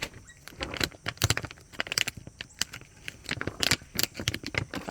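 Jangling, metallic clinks and rattles come in bursts over a low vehicle rumble and faint voices, with no animal calls.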